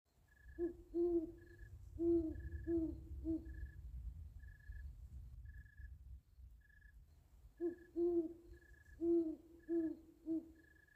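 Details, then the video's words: Great horned owl at night in woodland, one of three owls calling back and forth with one directly overhead, gives two bouts of four or five deep, soft hoots in a stuttering rhythm over steady high cricket chirps and a low rumble. "Owls, and Crickets"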